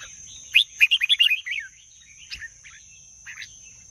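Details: Red-whiskered bulbul, caged, pouring out a rapid string of about eight bright, bubbly whistled notes, then a few quieter scattered chirps, with a continuous high hum behind.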